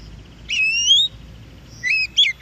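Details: Oriental magpie-robin in the wild, recorded for stimulating caged birds: one long rising whistle, then a quiet pause and a few short twisting whistled notes.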